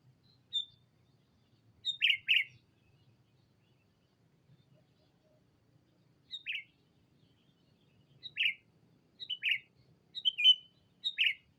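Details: Decoy sooty-headed bulbul calling a rival: short bright chirpy phrases, often in pairs, scattered across the clip with pauses of several seconds, over a faint low rumble.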